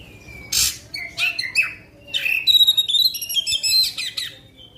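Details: Kacer (Oriental magpie-robin) singing long phrases to stir other kacer: a harsh burst, varied whistles, then a fast high metallic trill with chattering notes.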